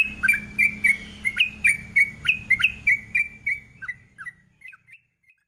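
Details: Lure recording of a sooty-headed bulbul in long rolling song: quick, bright whistled notes repeated several times a second, slightly slurred downward, fading away toward the end, with faint low hum beneath.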